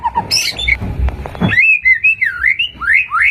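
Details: Murai batu, the white-rumped shama, used as a lure song. After a noisy start come sweet wavering whistled phrases and quick rising slurs, loud and clear.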